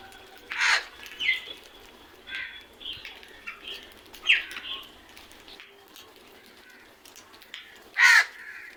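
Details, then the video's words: Crows give harsh, raspy caws: two loud ones at the start and end, with softer, scratchier calls between, irregularly spaced over several seconds. "Loud noise made by really smart crows"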